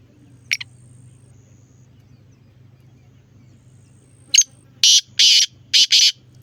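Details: Black francolin calling on 9 October: a short harsh double note, then after a pause a grating series of four loud, broadband rasping notes spread over about two seconds, with a steady low hum underneath.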